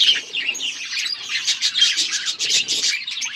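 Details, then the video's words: Eating budgies keep up an unbroken stream of bright chirps and twittering chatter from several birds at once. "Budgies eating | Budgies beautiful colors and chirping sounds"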